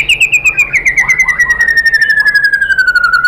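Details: White-rumped shama lure song for provoking another shama to sing: one long whistle sliding steadily downward with a fast pulsing trill throughout, plus faint lower notes beneath.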